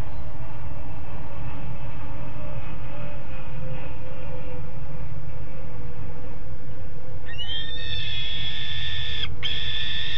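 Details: Two juvenile peregrine falcons on the nest grate at Alphen aan de Rijn, 17 June 2016, 13:30; after seven seconds of low rumbling background, a long harmonic wailing call begins and holds steady to the end.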